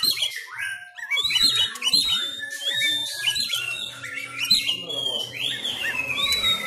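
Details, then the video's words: A caged Sumatran Oriental magpie-robin rehearses its fighting-style song at home in Indonesia while contests are closed for COVID-19: loud squawky chatter mixed with clear whistled notes and a long slurred phrase near the end, low hum beneath. "Gaya tarung Kacer kacer sumatra"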